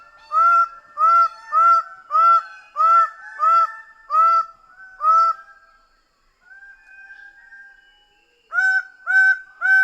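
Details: Rapid series of about nine harsh, honking calls from a Greater bird-of-paradise, a brief pause with softer drawn notes, then three more loud honks.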